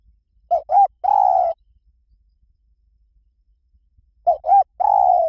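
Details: Two identical phrases of 'liu tan' style singing by a spotted dove, played to coax a dove into calling back. Each has two short mellow coos and a long low coo, repeated after about three seconds of quiet.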